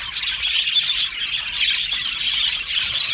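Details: Budgerigars in an aviary chirping happily, with bright, high chirps and a few pure whistles over a constant background of flock twittering.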